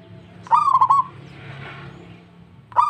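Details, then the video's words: Local zebra dove replying at once, singing freely: a rapid stuttered burst of clear mid-pitched cooing notes. A fresh burst begins near the end. A faint steady low hum runs underneath. "PERKUTUT LANGSUNG NYAHUT PERKUTUT LOKAL GACOR DOR DOR DOR"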